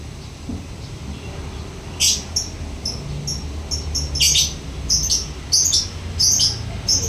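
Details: Lovebird in ngekek chatter. Quiet at first, then a rasping burst, followed by a run of short, high chips mixed with harsher squawks, speeding up toward the end over a low hum.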